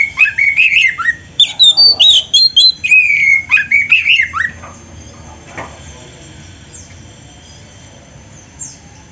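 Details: Oriental magpie-robin (kacer) in lively, full song with many borrowed phrases, used as a master recording for training other birds: rapid run of clear whistled notes, sliding up and down, lasting about four seconds, then near silence with faint hiss.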